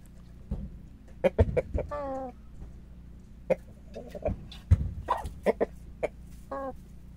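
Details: Rooster recorded on 6 March making scattered clucks and two short wavering, nasal crowing-like notes, mixed with knocks and clattering noises over a loud low rumble.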